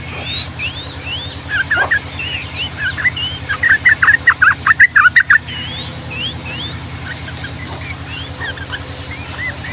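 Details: Yellow-vented bulbul song for tutoring young birds, in the long-rolling style: scattered upslurred whistles, a brisk burst of bubbly repeated notes in the middle, then softer whistles, all above a constant low drone.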